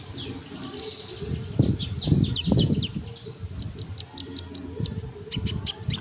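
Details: Sunbird song used as a tutor recording for songbirds: high, thin chirps and quick descending whistled notes in rapid bursts, with clicks and low background rumble.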